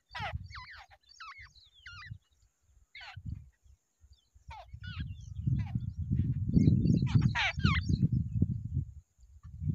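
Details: Two wild babblers together at their nest give harsh, nasal calls with stacked overtones in short bursts, then fall quiet while low rumbling handling or wind noise takes over.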